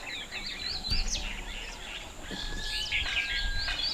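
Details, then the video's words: Small bird chirping on top of a tree: quick, high, scattered tweets and short rising notes, a faint sustained whistle in the middle, with soft outdoor background noise. "Have you ever seen small Chirp on top of tree?"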